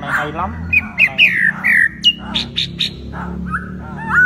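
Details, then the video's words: Masked laughingthrush singing prolifically, with a dance to attract a female: a varied run of short slurred whistles and chattering notes, some falling, some rising, ending in a clear upslurred whistle over a low background hum. "Poksay HONGKONG Gacor Tarian Burung Legenda"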